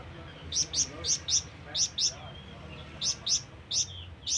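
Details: Flamboyan bird calling to bring in companions or rivals, with high chirps in pairs and loose groups separated by brief pauses, and a faint softer whistle in between.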